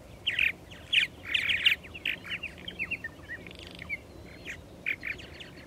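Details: Purple martins calling at a nesting colony: loud raspy, croaking bursts about once a second at first, then quieter chirps and gurgles from several birds.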